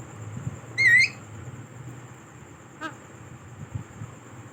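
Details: A rainbow lorikeet calling with other lorikeets gives one short, harsh, wavering screech, followed by a faint click against a low background rumble.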